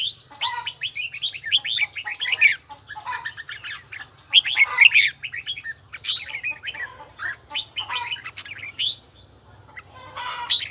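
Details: Red-whiskered bulbul training its voice with a bell-toned song, delivering dense, fast chattering phrases of bright whistled and trilled notes almost without pause, over a faint low hum.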